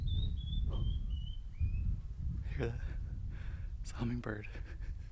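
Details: A Canyon Wren in a slot canyon gives a cascade of five clear whistled notes, sliding steadily lower over two seconds, then a person talks, with low wind rumble throughout.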